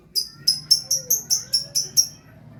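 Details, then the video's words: Lovebird in gacor song giving a fast run of about nine thin, sharp chirps, evenly spaced several per second, over a low background hum. "Love Bird Gacor"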